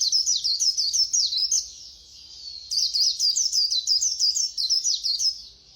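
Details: Fast-singing white-eye, khuyên líu style: two rapid bursts of high, bright, slurred chirps, each about a second and a half long, separated by a brief quieter pause.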